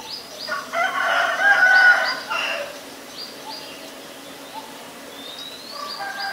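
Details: White-vented myna, Acridotheres grandis, in Ubon Ratchathani, Thailand, 9 March 2022: a loud grating, buzzy call lasting about two seconds, then quieter scattered notes and high thin upslurred whistles from other birds.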